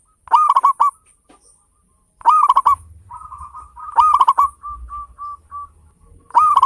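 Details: Local zebra dove singing steadily, used to stimulate other birds to sing: bursts of four or five fast hooked coos every two seconds, with a softer run of spaced coos between them.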